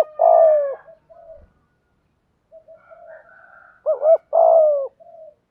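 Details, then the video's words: Spotted dove calling as a decoy to attract wild doves in the 'thúc gù' style: a long falling coo, a pause with soft background birds, then a two-note lead-in and another long low coo. "chim cu gay thuc gu, chim cu gáy bài bản giúp bổi nghe gáy theo và rất nhanh nổi"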